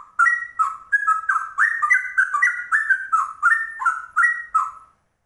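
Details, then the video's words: Ropel song from a rare trucuk with cucak rowo-like delivery: quick, liquid, rising and dipping whistled notes in rhythmic bursts for about five seconds, then silence. "Trucuk langka ropelannya cucak rowo"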